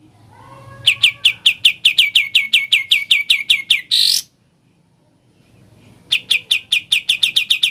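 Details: Sooty-headed bulbul in ngebren song, a long run of rapid, evenly spaced high chirps, cut by a harsh noisy rasp and a two-second silence before the chirping series resumes.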